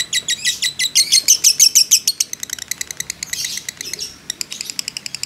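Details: Lovebird fighter chattering its long ngekek as a provoking lure: loud dense high chirp bursts for two seconds, then softer quicker ticking notes with a brief gap and a renewed burst.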